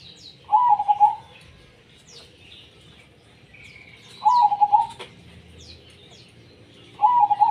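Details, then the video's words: Trilled, warbling coos of a zebra dove singing tumpang sari, repeated three times about three seconds apart, with soft high bird chirps and a brief click in the background. "perkutut gacor tumpang sari"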